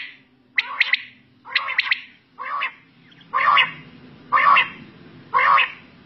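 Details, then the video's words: At night a quail gives quick clipped note pairs and triplets, then lower, fuller rasping bursts, each phrase about a second after the last, over a soft low rumble. "Raat Battair Sound Ek Saath"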